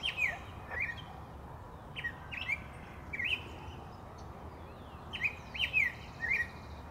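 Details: A golden grosbeak (Pheucticus chrysogaster) in Quito, Ecuador, 27 January 2019, gives short, sharp chirps, often in quick pairs, at an uneven pace over a steady low rumble of background noise.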